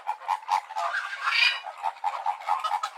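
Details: A flock of flamingos, named as greater and American flamingos, gives a steady stream of nasal, goose-like honks, several per second and overlapping, with louder gabbling in the middle.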